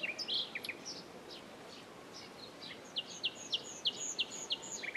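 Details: Common nightingale song: a few scattered high chirps, then a rapid, evenly spaced series of loud, sharp repeated notes lasting about two seconds, over faint constant background noise.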